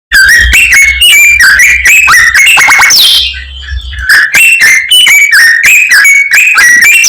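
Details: Common myna in energetic full song packed with imitations of many other birds: rapid strings of clear whistled notes, short rising and falling slurs and buzzy bursts, about four phrases a second, with a brief pause near the middle.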